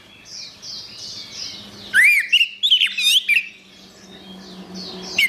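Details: Gacor orange-headed thrush for songbird training: soft high chattering, then a loud burst of rising whistles and quick rolling slurred notes lasting about a second and a half, fading back to the chatter, with a low steady hum.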